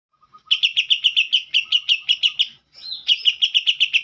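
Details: Green leafbird singing a song filled with kapas tembak phrases: loud, rapid, clipped high notes repeated about six times a second in two bursts, split by a short pause and a sliding whistle.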